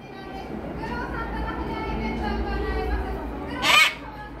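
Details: A harlequin macaw at Orbi Yokohama gives a single harsh, loud squawk near the end, over steady background chatter of people and children.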